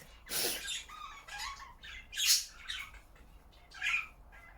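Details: Pet budgerigars kept indoors at home chatter in scratchy, high-pitched bursts of squawks and chirps.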